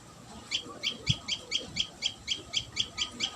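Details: Common tailorbird at its nest: sharp, high chirping notes repeated steadily about three or four times a second, each short and bright, over faint low background rumble.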